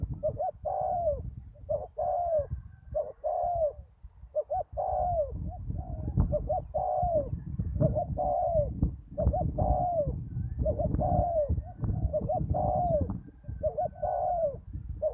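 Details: Spotted dove decoy and a deep-voiced wild bird calling at a ground lure site after a storm: a long run of mellow coos, each a short stutter then a falling hoot, roughly forty a minute, over constant low rumble.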